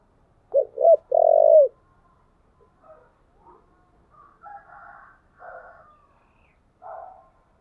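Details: Spotted dove lure song for wild doves: one three-part phrase of two quick coos and a long wavering coo ending in a downward slur, followed by fainter, scattered, harsher calls.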